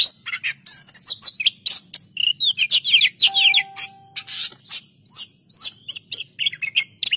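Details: Kacer, the Oriental magpie-robin, singing energetically in gacor style: fast bursts of clipped, scratchy notes mixed with slurred whistles and one long steady tone, delivered almost without pause.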